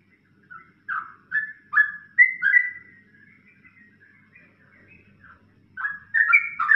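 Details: Yellow-vented bulbul ropelan song for training songbirds: a string of rising, whistled notes spaced under half a second apart, softer warbling in the middle, then a loud burst of quick liquid phrases at the end.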